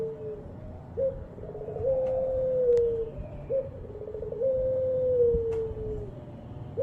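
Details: Ringed turtle dove (puter pelung) from Java hobby keeping, repeating its coo: brief rising note, rolling throaty notes, and a drawn-out level tone sagging at the close, with faint clicks behind.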